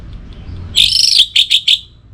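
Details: Orange-headed thrush singing as a morning and evening lure for other songbirds: a short buzzy trilled phrase followed by three quick separate chirped notes.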